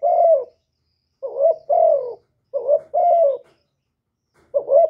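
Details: Spotted dove cooing: a few soft hollow phrases, each a quick rising note then a sustained falling coo, separated by short gaps, with nothing else audible.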